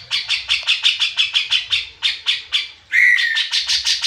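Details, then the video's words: Grey-cheeked Bulbul gives a rapid series of harsh, chattering notes, about five per second, then a louder rising phrase before the chatter resumes; used as lure audio to make reluctant bulbuls sing. "cucak jenggot malas bunyi jadi gacor setelah dengan C.jenggot ini"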